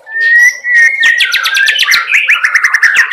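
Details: White-rumped shama, a speckled youngster, opens with a long steady whistle, then breaks into a rapid chattering run of bright notes, cerucuk-style filler in its song.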